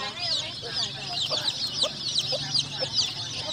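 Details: Many colourful chicks cheeping together in a dense, overlapping chorus of high piping notes over a steady background noise.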